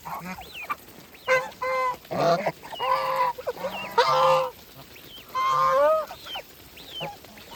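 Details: Farm geese calling while feeding, loud nasal honks with stacked harmonics in bursts of about half a second, interspersed with thin rising whistled notes from other birds in the flock.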